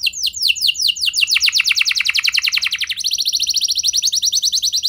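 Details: Canary lure song played to make other canaries sing continuously. Swept notes speed up into a dense, slightly descending trill. It then shifts to a higher, even rattle of rapidly repeated syllables, bright and unbroken throughout.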